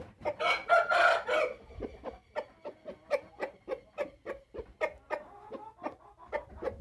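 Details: Speckled Índio rooster from Paraná, Brazil, opening with a brief loud crow, then a long run of rapid sharp clucks repeated about three times a second over low rumbling background noise.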